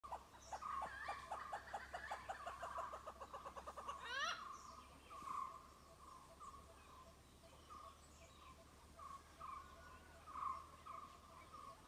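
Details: A grey hornbill, also labelled Malabar hornbill, gives a fast run of harsh, cackling notes that speeds into a rattle, then single squealing notes spaced a second or two apart.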